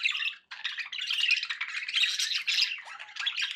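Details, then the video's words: Pet budgerigars give a quick run of scratchy squawks and twittering chirps, a short pause near the start followed by continuous high, buzzy chatter. "budgie sounds with background noise for relaxation"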